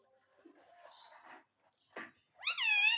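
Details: Pet parrot talking for roti: faint murmuring and a click, then a single loud, wavering, strongly harmonic word-like call at the close.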